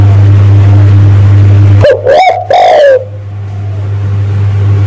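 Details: Spotted dove lure call meant to draw in males: one phrase of three harsh, overdriven coos, a brief rising note then two longer level-to-falling ones, over a constant low hum.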